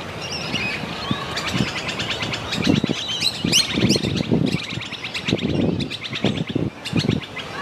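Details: Sulphur-crested cockatoo, a large white cockatoo, giving rough, raspy screeching calls in bursts over several seconds, with low thumping and rustling noise throughout and faint chirps from other birds.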